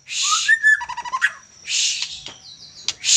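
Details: Young Medan-type white-rumped shama giving a brief whistled slur and a rapid trill of clipped notes, framed by loud, drawn-out harsh rasping bursts.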